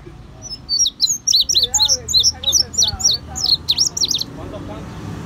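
An indigo bunting sings a bright, high-pitched run of sweet notes, many given in quick pairs, lasting about four seconds over a faint low background hum.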